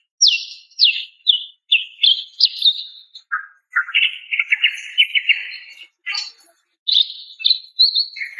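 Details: Female greater green leafbird calling a male: descending sharp whistled notes repeated about twice per second, a lower buzzy rattle, then more high chirps and chatter.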